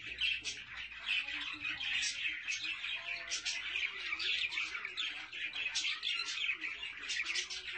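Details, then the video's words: Budgerigars with their chicks: dense, continuous warbling chatter of high chirps and squeaky notes, many short bright bursts overlapping without pause. "طيور الحب بادجي مع الأفراخ"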